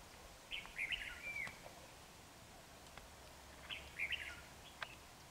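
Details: Red-whiskered bulbul recorded during trapping with a decoy bird on 28 January 2019: two short warbled phrases of rising and falling whistled notes about three seconds apart, over steady outdoor background hiss.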